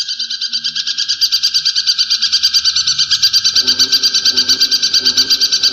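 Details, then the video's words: Brown shrike, a kept mimic songbird, producing a loud, even, buzzy rattling trill of rapid repeated pulses, about three a second, with low murmuring background noise in the second half. "Masteran Burung Cendet ! Pentet Durasi Panjang Buat Masteran"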